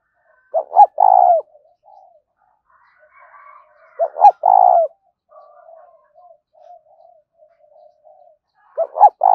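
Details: Spotted dove cooing as a lure call to draw other doves in: two short throaty notes, then a longer purring coo, repeated about every four seconds; faint softer notes between phrases, no other sounds.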